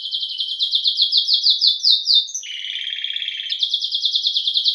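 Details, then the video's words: Domestic canary, known as canário-belga or canário-do-reino, singing a loud, rapid, continuous high trill of fast repeated notes. Midway it shifts briefly into a lower, buzzy rolling passage, then the quick trill resumes until the end. "CANÁRIO BELGA CANTANDO"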